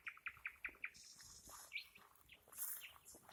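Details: Nightingale giving five loud, evenly spaced repeated notes at a brisk pace, followed by a high buzzy trill and scattered sharp chirps.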